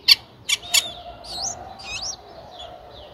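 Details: Nine-day-old Streak-eared Bulbul nestlings, whose eyes opened at seven days, in Ubon Ratchathani, Thailand, on 11 April 2023: three sharp, loud chirps in quick succession, then softer wavering, looping whistles over a faint steady hum.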